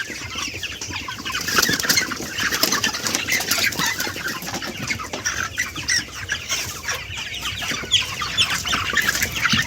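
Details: About 98 chickens in an enclosed poultry house under red and white lights keep up a dense, continuous chorus of chirps and clucks.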